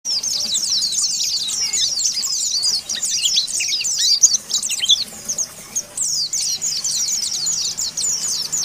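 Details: Oriental white-eye in the ngalas style, calling out rivals: dense, rapid high-pitched twittering of sharp chirps and trills, fluttering almost without pause, with a brief lull near the middle before resuming.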